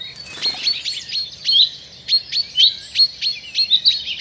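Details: At a British countryside pond where birds bathe, a coal tit, frightened by a grass snake, alarm calls: a rapid run of thin, high, sharp notes, about three each second, with faint rustling and other birds behind.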